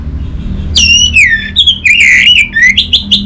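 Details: Orange-headed thrush song from a northern Bali stimulus recording for getting quiet birds singing. It opens with a loud whistle sliding downward, then a chain of warbled, wavering whistled notes, rich and fluty, over low background hum.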